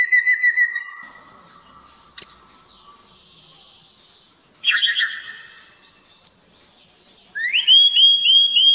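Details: Common blackbird (Turdus merula) singing varied fluting and chirping phrases in short bursts with high squeaky notes, in a church courtyard on Nisi islet, Paralio Astros, Greece, 23 March 2017, 12:45.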